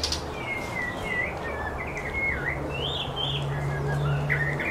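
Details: White-rumped shama pair feeding their chicks at a nest on the North Shore; wavering whistled notes, some rising and falling, run through the clip over a steady low hum.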